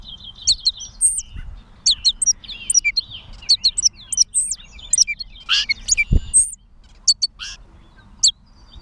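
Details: Gray catbird recorded in Bowdoinham, Maine, 16 May 2020, giving rapid squeaky, chattering phrases of sharp high notes and slurred chirps in quick bursts, with a brief thump midway and faint low background noise.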